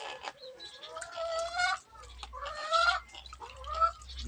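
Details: Crow calling: three drawn-out, nasal caws, each close to a second long, separated by short pauses, over a faint low rumble.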